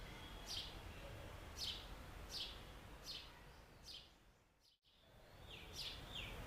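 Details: House sparrow song, given mainly by males to announce a nest and attract females: short, bright falling chirps roughly once a second over a steady low outdoor rumble.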